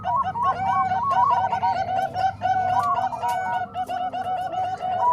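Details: Blend of Bangkok and Cemani Kolbuntet zebra dove singing for training doves: fast, jerky cooing notes rising and falling in overlapping strings from several birds, with constant low background noise.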